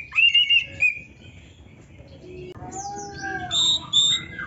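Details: Oriental magpie-robin (kacer) in lively, full song rich in varied phrases, used as a tutor recording for training songbirds: loud warbled whistles at first, a pause, then softer varied whistles and thin high squeaks.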